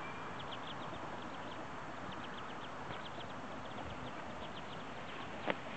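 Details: Ducklings on their first day after hatching, born early this morning or late last night, make bursts of short high peeps in quick runs, with a single sharp click near the end over a steady low background rumble.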